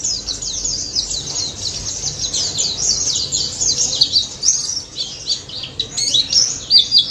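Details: White-eye (pleci daput) in energetic ngalas song, a lure to prompt mute birds: continuous shrill twittering in tightly packed notes, growing more broken and emphatic toward the end.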